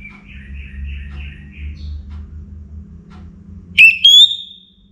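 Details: Orange-headed thrush singing before morning in northern Bali, Singaraja: soft warbled notes run for about two seconds, then a loud clear whistle rises and slides into a long sustained note, over a steady low hum.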